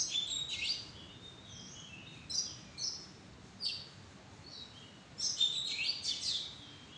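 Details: Oriental magpie-robin calling from a madan tree arbor: clear high whistles and quick falling sweeps in separate short phrases, with pauses between, then a denser burst of varied notes near the end over a soft steady hiss.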